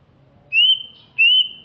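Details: Greater green leafbird from Alas Purwo, Banyuwangi, East Java, described as large-bodied and fierce-looking; two clear, pure whistles, each rising slightly and then held level, about half a second apart, with a quiet background.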